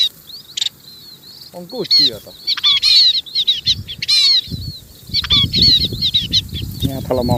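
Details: Munias calling to gather the flock, many high, slurred squeaky notes overlapping in busy bursts, mixed with clattering, rustling noises and low rumble.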